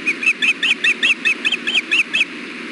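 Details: At a wild osprey nest during an afternoon fish delivery, June 2016, a fast excited series of loud whistled chirps, some doubled, about five per second, with steady background hiss.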